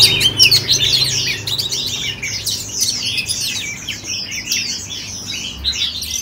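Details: Cage-kept oriental magpie-robin in Ho Chi Minh City, Vietnam, singing a rapid, varied run of high twittering and whistled phrases with little pause.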